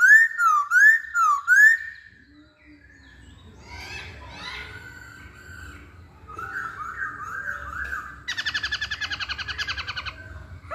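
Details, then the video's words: Hwamei song opening with three bright looping whistles in quick succession, then softer scratchy phrases and a fast, buzzy trill near the end. "Kicauan Poksay Hongkong"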